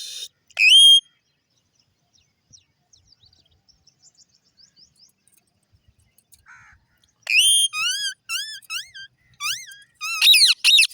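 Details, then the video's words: Indian ringneck parrot, a green parrot: a loud, shrill, upslurred whistle, a quiet stretch with soft ticking, then a run of rising-and-falling whistled notes that grow higher, harsher and more crowded toward the end. "long sounds of green parrots, Indian Ringneck parrot Talking"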